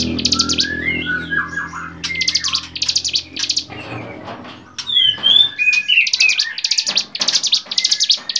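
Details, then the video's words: Training recording of a bar-winged prinia for songbirds: trilled buzzy bursts alternating with whistled, warbling phrases, a brief pause midway, then rapid high buzzes again with sharp slurred whistles. "masteran cigun gacor variasi"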